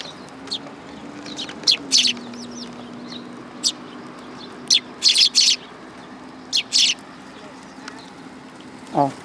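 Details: Eurasian tree sparrows come for food at a Tenmangu shrine, August 2022. Scattered sharp chirps, singly and in pairs, stand out over a low droning hum. A brief rising sound closes the passage.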